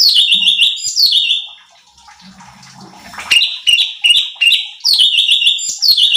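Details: Bulbul known locally as cucak cungkok, recorded as a lure for training contest birds and stirring up other birds. Loud, ringing whistled phrases repeat rapidly, with a short quiet stretch of faint splashing noise midway before the lively song resumes.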